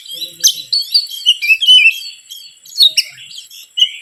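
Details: Lure song of an Oriental magpie-robin, meant to provoke rival birds: a dense run of fluty whistles and bright chirps, with quick trills and a sharp click near the start.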